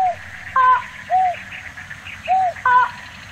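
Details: Slaty-legged crake (Rallina eurizonoides) in Tainan, Taiwan, on 9 December 2019, giving short, nasal notes that alternate between a lower arched note and a higher, harsher one, about every half second, over faint hiss.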